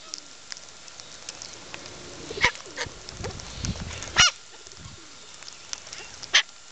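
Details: Wild Eastern long-billed corellas feeding at Neil Hawkins Park give three harsh, rasping screeches about two seconds apart, with softer chatter and faint background noise between them.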